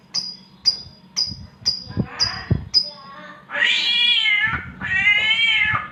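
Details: Oriental magpie-robin imitating a cat's mating call: six short, sharp high whistled notes about every half second, then two long, wavering, meow-like wails rich in harmonics.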